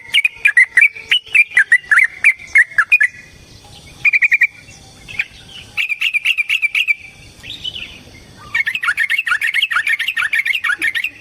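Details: Yellow-vented bulbul fighting song, used to lure and excite other bulbuls: fast bubbly chatter, then shorter phrases after pauses, ending in a dense, continuous stream of rapid notes.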